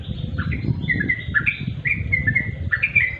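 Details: {'caption': 'Trucuk, the sooty-headed bulbul, in natural song in half-light: quick, warbled, two-part chirps tumbling one after another with slight upward and downward slurs, over a rumbling low background.'}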